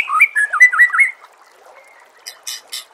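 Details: Captive white-rumped shama song meant to train birds for contests: a fast warbled run of looping whistled notes lasting about a second, then quiet, followed by three harsh high bursts.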